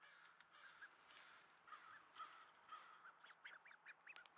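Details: A duckling learning to quack, outdoors in Sainte-Adèle, Quebec, Canada, on a partly cloudy 16°C morning in August. It gives thin, squeaky, cracking calls, soft at first and then quicker and more rasping toward the end.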